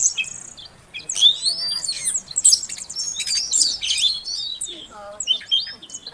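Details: A female Oriental magpie-robin calls to stir a quiet male into singing: sweeping high whistles and squeaky trills over soft background hiss, with a short lower buzzy phrase near the end.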